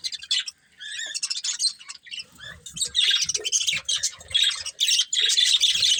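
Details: A pair of breeding budgies feeding, chirping in quick irregular bursts of high, sharp, squeaky notes that grow louder and denser toward the end, with light low tapping sounds.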